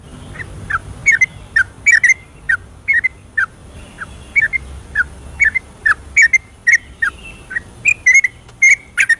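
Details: Yellow-vented bulbul singing a 'ropelan' (rapid, continuous) song at night, used as a lure to stir silent birds: short bubbly whistled notes that dip and rise, repeated about twice a second with brief pauses.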